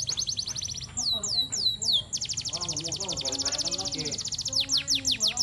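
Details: Singing canary, a master recording for teaching young birds: a few slurred falling whistles, then a long dense rolling trill, closing with slower downward sweeps, with low murmuring background sounds.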